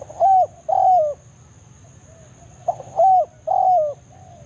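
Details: Wild spotted dove giving the 'banggo' lure call in forest to call a rival, used to draw doves to a trapping site: two full phrases of ringing, slightly descending coos, each led by a brief soft note; faint background hum.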